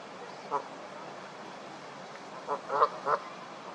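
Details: Canada geese honking during a fight: one short honk, a pause, then three quick honks in close succession against a steady background hiss.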